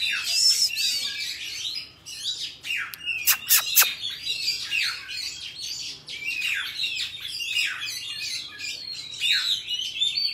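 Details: Wild-forest-style song of an Oriental magpie-robin, used to train young birds' voices. Sweet whistled phrases alternate with rapid chattering notes, and a few sharp clicks break in around the middle.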